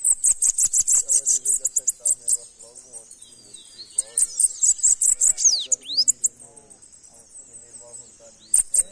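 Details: A sibite (bananaquit) sings a rapid series of very high, thin, sharp notes, about two per second at first, then a quieter stretch of softer chatter and downslurred whistles before the high bursts return.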